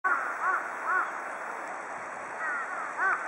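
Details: A group of large-billed crows bathing together; short arched, slightly nasal calls sounding at uneven intervals, about five in total, over a steady background hiss.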